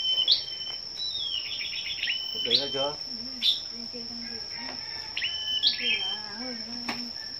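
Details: Morning contest of scarlet-backed flowerpeckers, 10 May: scattered thin, high chips and a short tinkling run, interrupted by a person talking, with a continuous shrill hum behind.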